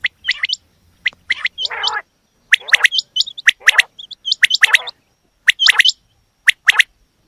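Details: Female quail sounds: doubled high upslurred whistles repeated at roughly one-second spacing, interspersed with coarse raspy bursts, quiet gaps between phrases.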